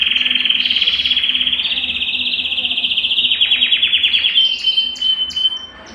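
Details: Belgian canary singing to warm up a cold canary: a loud, fast pulsed trill held at one pitch, shifting to slower, wider-spaced notes, then fading into a few high chips.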